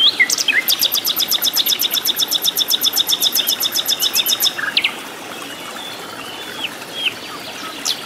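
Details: Flycatcher known locally as sikatan londo, singing energetically in the wild in its native habitat: a long, steady trill of about twenty-five sharp high notes lasting nearly five seconds, then a few isolated chirps.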